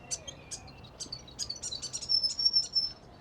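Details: At dawn in the city of Melbourne, Australia, a Grey Fantail in the morning chorus gives a high, thin song of quick squeaky chips, about three a second, with a drawn-out sweet whistle near the end.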